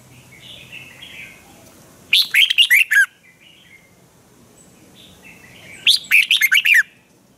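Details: Thai cage-kept red-whiskered bulbul, full of energy, singing a sharp training song: a loud phrase of six rapid, bubbling whistled notes, then after about three seconds an almost identical phrase, faint birds behind.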